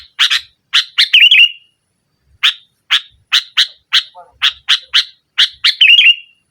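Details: Sooty-headed bulbul, a loud nggaruda-style singer for pressuring rivals and rousing a mute bird: a steady series of harsh staccato notes, broken by two short, burbling flourishes.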